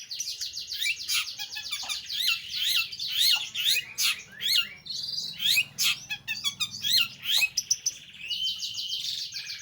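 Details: Long-tailed shrike singing a busy, varied medley of fast chattering trills, sharp clicks and twittering notes, ending in a smoother warbled phrase.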